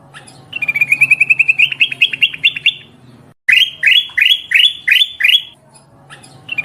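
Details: Black-crested bulbul calling as a bird lure, described as a female summoning a male: a quick, even run of chirps, a short gap, then loud upslurred notes repeated about twice per second.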